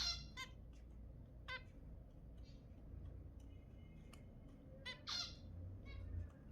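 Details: Zebra finch calls for encouraging pairs to mate: scattered short nasal beeps and honks at irregular intervals, a louder burst of two calls near the end, with a low hum beneath.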